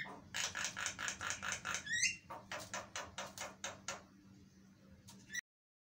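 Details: Javan myna filler song for provoking responses from other mynas: a rapid series of harsh, rasping bursts, roughly three per second, broken by a brief rising whistled note, fading into weaker rasps before stopping abruptly; low electrical hum throughout.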